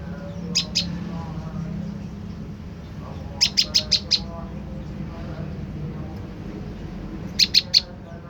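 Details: Olive-backed tailorbird lure call: widely spaced bursts, a pair of sharp high notes, then five in quick succession, later a final cluster of four, separated by quiet stretches with a low hum.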